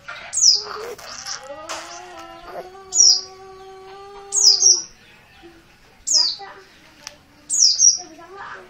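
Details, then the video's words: Untrained oriental white-eye from Merapi giving 'ngotot' calls: high, falling notes, some doubled, recurring every one to two seconds, over steady lower humming tones and scattered clicks. "Pleci dakun merapi bahan, call ngotot"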